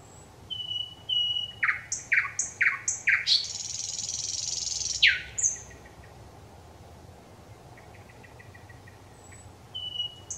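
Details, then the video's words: Thrush nightingale in song on 25 May 2021: quiet whistles, a burst of hard repeated notes building into a long, loud, harsh churring rattle, then soft clicking series and a brief high whistle. "Satakieli laulaa, ääni kauniisti ja selvästi"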